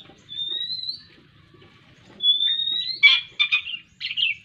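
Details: A young black-winged kite being hand-fed squirrel meat gives thin, high whistles that slide upward, then a quick run of sharper, squealing begging notes over a faint background murmur of voices.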